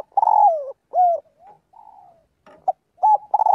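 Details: A spotted dove calls its flock as part of daily voice training, giving a strong slurred coo that slides downward, a rounded second note, softer trailing coos, then a clipped burst and renewed loud coos.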